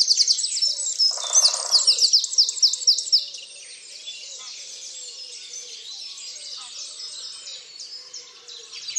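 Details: Dawn chorus on 30 March 2019 at Tophill Low nature reserve by the main hide: a loud, fast run of high, sharp repeated chirps for three seconds, then a quieter background of mixed twittering birds and a brief low rattling note.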